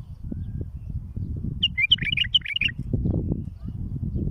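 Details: Bulbul singing as a tutoring model for chicks being raised: a quick phrase of about eight bubbly, chirping notes over roughly one second, with constant low-pitched rumbling noise behind.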